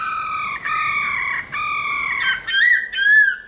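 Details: Black-throated laughingthrush singing in forest style, meant to stir caged birds into song: long steady whistled notes with rich overtones, then two rising-falling slurred whistles near the end.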